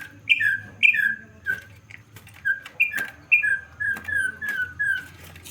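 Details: Campo troupial giving loud whistled phrases, each a high note dropping to a lower slurred whistle, repeated quickly in a steady series with brief gaps and a faint low hum behind.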